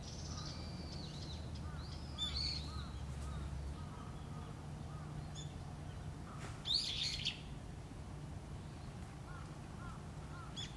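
A female red-flanked bluetail gives short, high, thin call notes at irregular intervals over a steady low mechanical hum.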